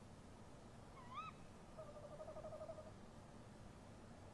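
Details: Tawny owl pair calling near a nest box at night in March 2015. A single sharp rising note is followed by a faint, short, wavering hoot against a background of low rumbling noise.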